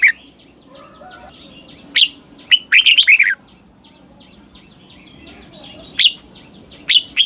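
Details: Red-whiskered bulbul giving southern master-style song for young birds to imitate: sparse sharp notes around a dense burst of rapid warbled whistles, soft twittering in the background.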